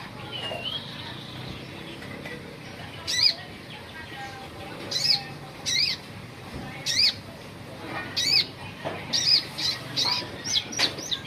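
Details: High, sharp sunbird notes of an olive-backed sunbird, short rising chirps repeated roughly every second, growing busier toward the end, above a quiet hiss.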